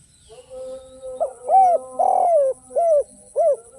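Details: A soft steady tone leads into spotted dove song in the without-kuk and one-kuk style: a quick note, a hollow arched coo, a long buzzy downward coo, then two rounded coos.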